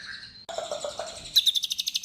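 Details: White-rumped shama in full song, used to provoke other shamas into singing: a brief high whistle, a burst of lower chattering notes, then a fast run of sharp, evenly spaced high chips.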